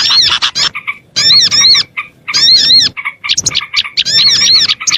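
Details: Oriental white-eye lure sound for small birds: separate bursts of high arched whistles and chirps, about one per second, with quiet gaps between.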